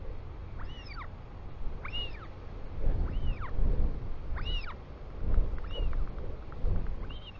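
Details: Royal albatross chick welcoming its father home, New Zealand, afternoon of 24 July 2020, nest camera: six rising-and-falling whistled squeals in steady series, about one per second, over strong wind buffeting.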